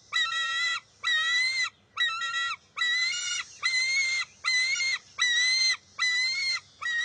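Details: Harsh, ringing screams from a bald eagle eaglet, one per second in an even series, as it refuses to share a fish with its mother at the nest, June 23, 2021.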